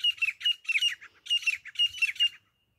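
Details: Grey francolin, locally called desi teeter, used as a hunting sound: harsh, squawky high notes delivered in quick bursts, about eight loud grating syllables packed into two and a half seconds, with a quiet background.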